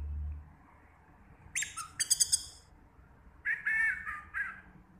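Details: Young Orange-headed thrush, newly moulted into adult plumage, singing two short phrases: a burst of high, harsh, chattering notes, then a lower run of clear, warbled notes, over faint background hum.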